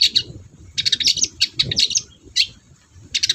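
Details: Long-tailed shrike in full, energetic song, used to stir quiet shrikes into singing: dense runs of rapid, scratchy, high chattering notes, broken by short gaps, then a fresh burst near the end.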